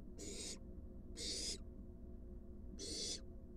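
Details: At a monitored wild barn owl nest box, with an adult bringing a large rat to its fledgling, three harsh hissing bursts come at uneven intervals over a low hum.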